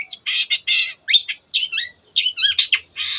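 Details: Long-tailed shrike in full 'teot teot' song, meant to provoke other birds to sing: broad scratchy bursts alternate with sharp bending whistles and short chirps in an uneven, fast sequence.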